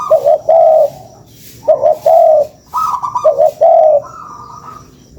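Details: As a lure, a spotted dove coos in regular phrases about every one and a half seconds, each a stuttered lead-in and a long warbling coo, with softer higher notes in the gaps.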